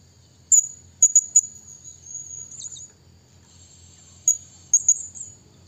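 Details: Blue-crowned hanging parrot calling a rival: scattered sharp, very high squeaks with a faint thin tone between them, over a low steady hum.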